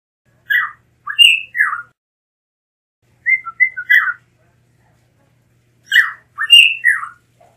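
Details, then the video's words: Blue mockingbird song, a Mexican endemic species: three bursts of varied whistled and slurred notes, each group of three or four notes separated by pauses of about two seconds, clean quiet background. "Mulato Azul Canto - Blue Mockingbird Bird Song"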